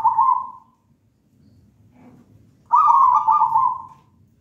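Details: Local wild-type zebra dove taken from a pisang raja banana plant nest, singing two rolling, trilled coo phrases about two and a half seconds apart, with quiet background between them.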